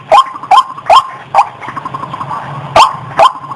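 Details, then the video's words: Lure call of a female white-breasted waterhen, used to attract birds for catching: loud, hoarse upturned notes, about five at first, then a brief lull with softer fragments, then two more strong notes. "SUARA BURUNG RUAK RUAK ,Burung Wak Wak BETINA Masteran"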